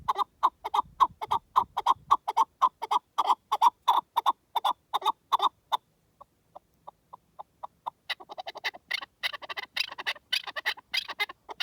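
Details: A wild partridge gives rapid, repeated clucking notes, about four a second, pausing briefly before a denser burst of harsher, chattering calls.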